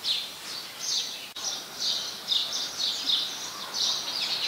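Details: Repeated bright, high-pitched cheeping from house sparrows in Ubon Ratchathani, Thailand, 5 February 2020, with a brief click near the start and a soft hiss underneath.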